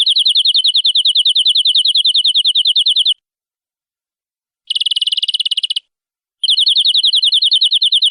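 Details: Kenari (canary) singing in the energetic nembak style for masteran: rapid rolling trill lasting three seconds, a brief pause, a shorter dense buzzy burst, then the quick repeated trill resumes, clean with no background noise.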